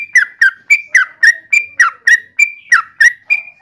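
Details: Pycnonotus goiavier, the yellow-vented bulbul, repeating short whistled notes about every quarter second, some sliding downward and others held level, in an even, steady rhythm.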